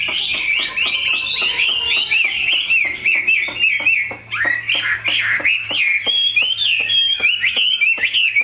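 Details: Vietnamese pet Chinese hwamei in a cage singing a continuous stream of bright, quick whistles and warbled slurs, punctuated throughout by crisp percussive clicks, with a brief dip in loudness mid-phrase.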